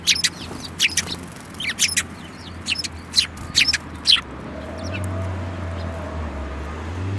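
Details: Lively burst of high, clipped sparrow chirps, roughly two or three a second, that stops after four seconds, leaving a low hum; flock including a yellow-beaked bird, 5 February 2018.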